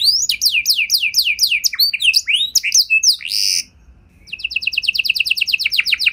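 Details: Singing canary meant to trigger replies from other canaries: quick repeated down-slurred notes and mixed chirps, a short buzzy burst, a brief pause, then a rapid even trill of high notes.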